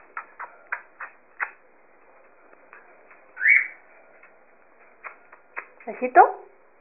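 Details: Monk parakeet talking, saying "guapo": a string of dry clicking notes, then a single rising whistled note, and a harsh, voice-like burst of syllables near the end, in a quiet room.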